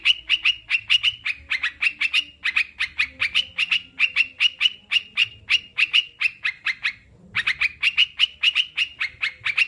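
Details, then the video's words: Sooty-headed bulbul, recorded as a training track so captive birds sing sooner: a long steady run of bright, clipped chirps repeated quickly, with one brief gap near the end before the chirping resumes. "Terapi burung crucukan biar cepat bunyi dan anti stres"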